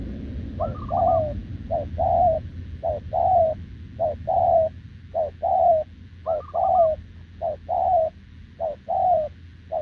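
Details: Wild-caught spotted dove with short legs cooing without pause alongside a decoy, 6 November 2024. A clipped note followed by a longer falling coo repeats very regularly, about once a second. A higher rolling trill sounds twice.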